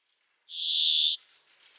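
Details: Brambling song: a single loud, harsh, buzzy wheeze held for under a second on one steady pitch, following near-silence, with faint thin twittering from other birds after it.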